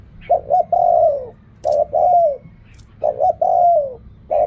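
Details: Spotted dove cooing in the styles called reak kham, khu kham and ok rong: three phrases, each two quick low coos followed by a long, smooth coo that slides downward, with faint hum in the background.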